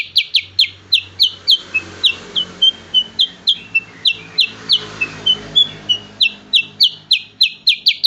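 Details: A black-headed bulbul's rapid shooting song: crisp descending whistles, several per second. A softer, wavering middle stretch is partly masked by a steady low hum and broadband hiss. Fast firing resumes at the end.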